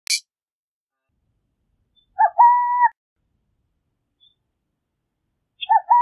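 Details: A burrowing owl (Athene cunicularia) gives a two-part cooing hoot, a short lower note then a longer steady one, repeated about three seconds later; a brief click opens.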